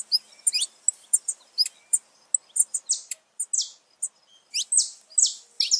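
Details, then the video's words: Saffron finch singing to stimulate pet birds: clipped high chirps mixed with loud, buzzy descending notes, repeated in a lively irregular rhythm. "canto de canário da terra pra foguea seu passarinho"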